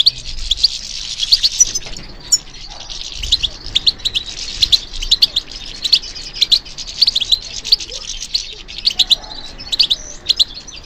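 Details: Goldfinch being encouraged to sing, delivering a long dense twittering song of high chirps and buzzy trills, rising to crowded bursts with short breaks.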